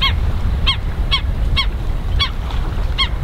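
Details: Hawaiian stilts (ae'o) at a shoreline park at Pearl Harbor, Oahu, at low tide on March 16, 2013: sharp, yelping single notes repeated about every half second over a steady low rumble of wind or surf.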